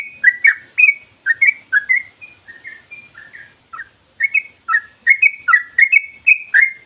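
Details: Trucukan, or sooty-headed bulbul, singing long sharp ropel phrases without stopping. Bubbly whistled warbles in quick succession, a short lull near the middle, then a bright rapid run of rising and falling notes to the end.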